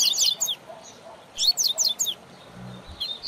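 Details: Tutor song of a double-collared seedeater for teaching young birds. Two short bursts of rapid, high, slurred whistles are split by a brief gap, with a faint low hum near the end.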